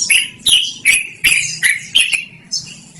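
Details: Loud, clear yellow-vented bulbul song for luring or training birds: strong chattering notes repeated roughly every third of a second, ending in a softer high trill.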